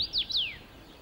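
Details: Common rosefinch singing in Sweden: a brief, loud whistled phrase of three clear slurred notes, the last gliding steeply downward, over a quiet background hiss.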